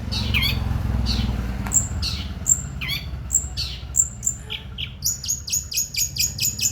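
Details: Long-tailed shrike, a prize-winning contest bird with two years of trophies, singing its 'tengkek buto' mimicry: sharp high whistled notes repeated about every second, then a fast run of short buzzy chips, with other birds calling behind.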